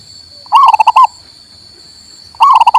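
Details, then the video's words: Local male zebra dove song used to stimulate a silent bird: a full bubbling phrase of a rising coo and quick pulsed notes, then a second phrase beginning two seconds later, over a steady high hum. "MERANGSANG PERKUTUT MOGOK BUNYI"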